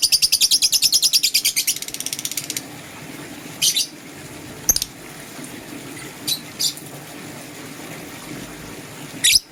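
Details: Green and blue lovebirds in the morning: a fast, even train of sharp, high chirps for about two and a half seconds, followed by a few scattered single chirps over low background hiss.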